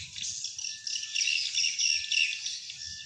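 A dense, continuous chatter of high, thin twittering chirps from many swiftlets, buzzy and overlapping, with a faint low rumble underneath.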